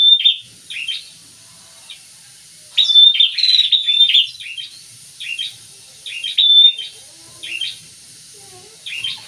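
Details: Singing prinia pair giving short high chirps in clusters, a louder burst around three seconds, then spaced repeated phrases with quiet gaps.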